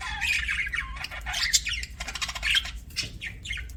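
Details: Pet budgerigars chirping: a dense, restless stream of harsh, scratchy squawks and bright chattering notes, overlapping bursts with brief gaps, fairly high-pitched and irregular, with a low background rumble underneath.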